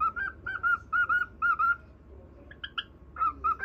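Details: Pet cockatiel whistling a song to a budgerigar indoors; clear paired whistled notes repeat in a quick rhythm, pause briefly, then resume, with faint low room noise.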